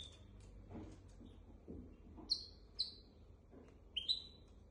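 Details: Goldfinch x canary hybrid tutor singer for goldfinches and canaries: quiet scratchy sounds, then three crisp, high, falling chirps in quick succession, with faint rustling.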